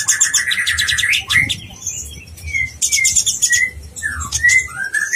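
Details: Konin blorok in full song as training material for contest birds, meant to provoke other konin: a busy high twittering run, then short clear whistled slurs, some rising and some falling, among further high chirp bursts.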